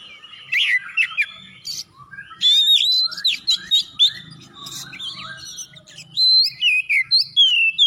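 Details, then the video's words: Oriental magpie-robin in full, lively song, used as a lure to set other magpie-robins singing: rich whistled phrases, rising and falling slurs and sharp chirps in bursts, with brief pauses between bursts and a faint low hum beneath. "masteran kacer gacor atau pancingan kacer biar bunyi"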